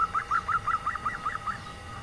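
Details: Local female zebra dove giving a nyelir-style call used to lure males that rarely call: eight quick, even staccato notes at a steady mid pitch over about two seconds, with faint low background rumble.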